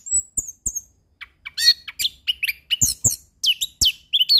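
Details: Orange-headed thrush (anis kembang) sings a varied tutor phrase: high thin whistles, then a dense jumble of sharp chirps, sweeps and twittering notes repeated in rapid bursts, with faint clicks in between.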